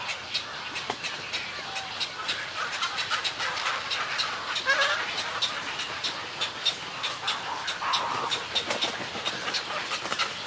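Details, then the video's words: Snowy egret colony, with harsh, rasping calls overlapping in a dense chorus. Rapid broadband clicks and bursts repeat throughout, and a few nasal tonal notes stand out near the middle. "Snowy Egret. MCU-CU Colony Calls And Greeting Calls, Wingbeats And Calls"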